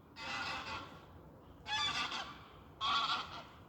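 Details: In autumn, geese flying by over water with floating leaves honk in three harsh, nasal bursts about a second apart, each a cluster of overlapping calls, over a soft steady hiss.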